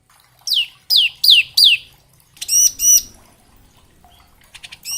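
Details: Bar-winged prinia singing in a varied ngebren style, used as training song for young and semi-adult prinias: four sharp descending high whistles, then two loud ringing notes, then soft quick chips.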